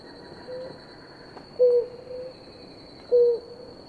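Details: A pair of blue ground doves drinking; a soft low note, then two louder short hollow coos spaced about one and a half seconds, under a continuous high whine.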